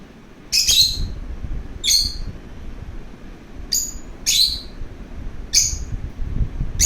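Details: Playful lovebird calling: six bright, high squeaky chirps in under seven seconds, some doubled, with faint low background noise between them.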